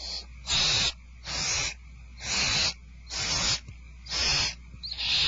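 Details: Barn owl (Tyto alba) at Starr Ranch at dinnertime, 2/1/12, giving harsh, breathy hisses about half a second long, repeated roughly once a second, with a faint low hum underneath.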